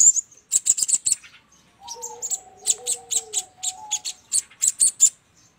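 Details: Sogon call as a trapping lure: clusters of loud high chirps in a steady rhythm, with two lower drawn-out whistles running beneath them in the middle.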